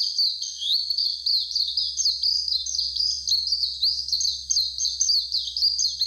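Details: Near Mount Fuji, a warbling white-eye delivers a long, fast, high warble of zigzagging squeaky notes strung together without pause for about six seconds, with a soft low rumble behind.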